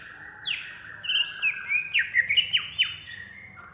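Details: Greater green leafbird of the Banyuwangi type singing in an agitated ngentrok style: a high swooping note, then a run of bright whistles and sharp downward slurs in quick bursts, with a soft low hum underneath.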